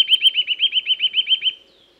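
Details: Eurasian nuthatch singing in woods: a fast, even trill of about twelve clear whistled notes, each briefly rising then falling, delivered over one and a half seconds before fading out.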